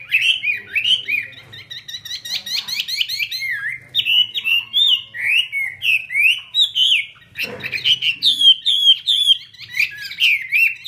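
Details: Chinese hwamei singing in the hót xòe style while spreading its wings in an eagle-wing display: rich, varied whistled phrases, rapid slurred notes and trills, about two or three phrases per second, with a brief noisy burst midway.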